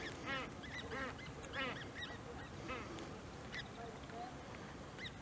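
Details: At Maasbommel on 1 August 2018, a Great crested grebe with young gives rising-and-falling harmonic whines in irregular bursts roughly once a second, over a constant low background rumble.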